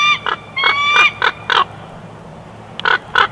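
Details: Bald eagle at the Big Bear Valley nest in June 2021 chortling: drawn shrill squeals and quick piping notes, a quiet gap, then two final sharp notes.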